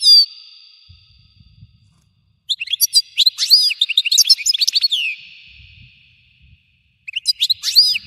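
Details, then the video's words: Bright, tinkling twitters and slurred notes from a European goldfinch, delivered in a long, lively phrase between pauses, with a ringing echo after each burst and soft low knocks in the background. "تغريد الحسون المدمر صوت تفجير طائر الحسون"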